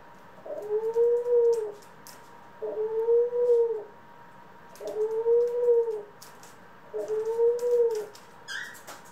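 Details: From a group of pet doves, including ringneck, Senegal and hybrid doves, four soft, mellow coos, each a steady low tone held for around a second, repeated roughly every two seconds, with light tapping sounds.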